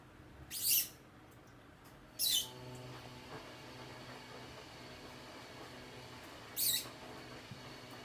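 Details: Loud chirping of a rose-ringed parakeet: three short, harsh, rasping shrieks spaced irregularly, with near silence between them.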